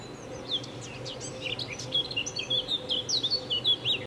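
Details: A Eurasian blackcap, drawn to a willow branch, attempts a rich, fluty morning song of quick, varied high notes that grow louder toward the end, over a low steady hum, before a collared dove chases it away.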